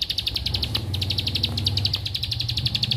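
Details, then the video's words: High, quick repeated chips of a bar-winged prinia run throughout, heard over a noticeable low rumbling background noise. "Ciblek Ampuh !! Yang Tadinya Malas Bunyi Jadi Gacor , Yang Lagi Belajar Bunyi Jadi Aktif Riwik"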